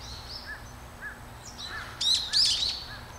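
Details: Great spotted woodpecker at Hanbam Village, Daeyul-ri, Bugye, Gunwi, North Gyeongsang, South Korea. Two loud, sharp, clipped notes come close together, with soft chirps from other small birds and steady outdoor background noise.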